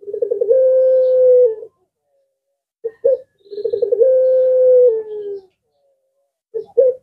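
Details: Puter pelung collared dove, its call answered by other birds: two long coos, each opening with a quick rolling stutter and holding a steady low tone before dropping at the end, separated by short clipped notes.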